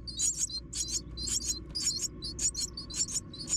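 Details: Myna chicks begging as a parent brings them food: high, squeaky, harsh calls in quick paired bursts, repeated about twice a second over a low steady background hum.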